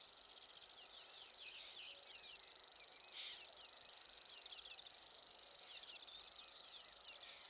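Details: Common Grasshopper Warbler singing continuously with bill open by the Vistula near Gdańsk: an even, shrill reeling like a fishing reel, rapid pulses swelling slightly in loudness, over faint twittering of other birds.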